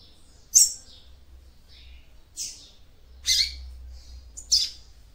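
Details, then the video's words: Female seedeater (papa-capim) singing to stimulate the male: four separate high, sharp notes, a bright downslurred chip then shorter rising and falling notes spaced about a second apart, with a faint low hum underneath. "CANTO DE FÊMEA PAPA CAPIM PARA ESQUENTAR SEU MACHO"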